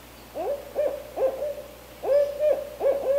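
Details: Wild barred owl, a mother with her young in Canada, giving a series of short, deep hooted notes that each rise then hold level, in two bursts of three to four hoots with a brief pause between.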